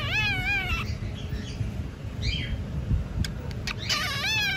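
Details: Pet cockatiel, bored and talking: a warbling, wavering voice with stacked harmonics sways up and down near the start, then soft scattered notes, a few sharp clicks, and another wavering burst at the end, over a steady low background hum.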